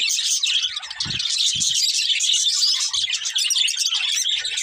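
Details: Colourful budgerigar breeding pair keeping up a steady, dense warbling chatter of high chirps, interrupted by a couple of soft low bumps in the first two seconds.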